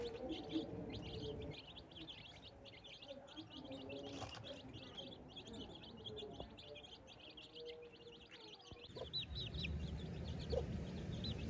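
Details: Young farm chicks scratching in the grass as they learn to find food; a stream of quick, high peeps runs throughout, mixed with lower, tonal calls and occasional soft thuds.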